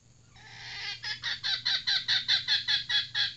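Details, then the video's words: A female decoy red junglefowl gives a drawn-out whining note that swells into a steady chain of about eleven sharp, harsh cackles, repeated more than twice per second, with a low hum beneath. "Ayam Hutan Pikat Betina"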